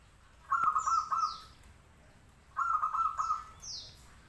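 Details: Local zebra dove in active song: two cooing phrases of three or four bubbling pulsed notes, two seconds apart, each followed by faint high falling whistles from another bird.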